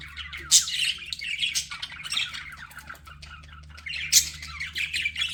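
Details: Pet budgerigar producing nonstop scratchy chatter, punctuated by two sharp, loud squawks, one early and one late, over a faint low hum.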